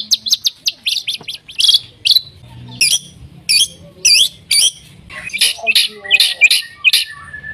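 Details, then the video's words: White-rumped shama song meant to prompt other shamas to sing: quick chattering notes at first, then spaced loud harsh upswept phrases, roughly two per second, with faint low background noise. "MURAI BATU GACOR AMPUH BUAT PANCINGAN MURAI BATU AGAR BUNYI CEPAT BIKIN MURAI BONGKAR MATERI"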